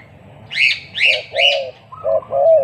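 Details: Spotted dove used as a lure bird against a newly trained bird: three rising higher notes, each followed by a low hoarse coo, then a pair of drawn-out coos.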